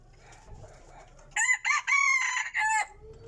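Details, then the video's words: Decoy rooster delivering one strong crow, a rich harmonic call split into four segments over roughly one and a half seconds, the third segment held longest, with low background rumble before and after. "qaib dib qua zoo heev li"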